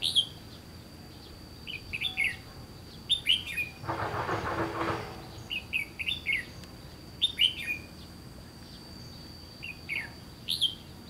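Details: Red-whiskered bulbul, trapping context near the Gulf of Tonkin, repeating short whistled chirpy phrases throughout, interrupted briefly by a harsh broadband rattle, over a thin steady high whine.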